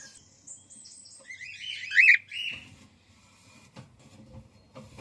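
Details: Female cockatiel calling: a short run of high, thin descending chirps followed by a louder, rough, upward-bending note, then quiet room sounds and faint bumps.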